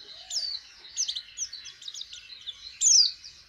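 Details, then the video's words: White-eye practising its song, opening its beak to sing: a dense run of high, quick twittering notes with rapid up-and-down slides, ending in a louder sharp descending whistle. "Pleci jhonshon belajaran buka paruh"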